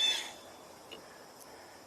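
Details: A Blue Jay heard during a birding tour on 3 August 2024, alongside a common grackle and a woodpecker, gives one short, harsh, nasal call, then near quiet with faint soft background hiss.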